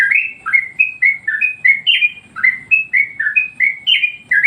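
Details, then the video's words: Sooty-headed bulbul (trucuk) song used as a master recording to train and provoke other birds: a steady run of about sixteen bubbly, slurred whistled notes, many dipping downward, delivered almost without pause. "masteran burung Trucuk bikin emosi burung yang lain"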